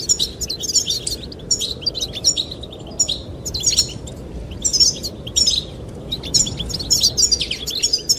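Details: High, tinkling goldfinch song, sung to attract the female, arrives in repeated twittering bursts roughly every second with short pauses between, while wind blows steadily in the background.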